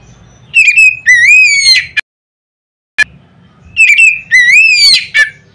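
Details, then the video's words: Oriental magpie-robin's loud provoking song, meant to make others of its kind sing: a sweet rising-and-falling whistled phrase ending in a harsh note, a brief silence, then the phrase repeated almost identically. "nada keras bikin burung Kacer lain ngeplong."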